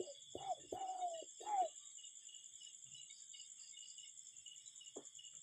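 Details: Cuckoo in a natural setting gives a quick cluster of hollow notes, a short rising note into a longer steady one, then falls quiet apart from a single faint note and a continuous shrill insect background.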